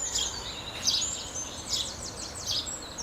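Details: House sparrow giving short high chirps in quick, uneven bursts, several overlapping notes sliding downward, over a steady low background hiss.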